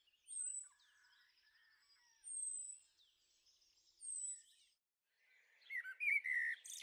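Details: Garden on the Veluwe, Netherlands, 30 April 2014, with young blackbirds: very high thin descending whistles about every two seconds, then a burst of busy chirping and squeaks.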